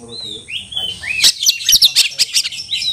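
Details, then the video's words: Oriental magpie-robin calling for a rival to fight: opens with clear sliding whistles, then a fast series of sharp buzzy chirps repeated roughly every fifth of a second. "panggilan kacer mencari lawan tarung"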